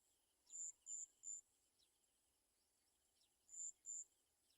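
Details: Olive-backed sunbird, a mother with small chicks that fell and cannot eat; three piercing high notes, a pause with faint slurred chips, then two more notes.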